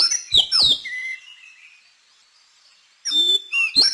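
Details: Song of the Madagascar magpie-robin: sharp whistled swoops and a long, thin, level whistle fading out, then after a pause a fresh burst of bright slurred notes.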